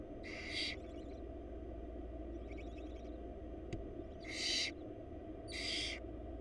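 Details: Wild barn owl nestlings in a Florida nest box, mother bringing food: three strong harsh hissing screeches, one faint hiss between, and a sharp click, over a low electrical hum.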